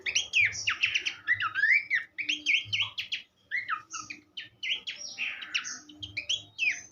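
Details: Horsfield's babbler in full song as a teaching recording for songbirds: dense, fast medley of whistled, slurred and chattering notes, continuous for several seconds with one brief gap midway.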